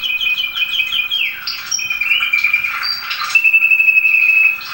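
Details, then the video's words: Canary song meant to teach young canaries to sing: a quick series of repeated high notes, then a dropping slur, and a long steady rolling trill held for over a second near the end. "canto do canário do reino ,para ensinar canário."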